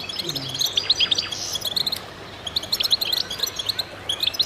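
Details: Several goldfinches in a concert of quick high chirps and twittering phrases, a short pause around two seconds before the bright overlapping notes return.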